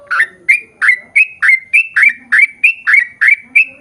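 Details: A sooty-headed bulbul in persistent song, a long quick series used as a lure for birds of its kind: eleven clear, slurred chirps in under four seconds, each sweeping briefly downward.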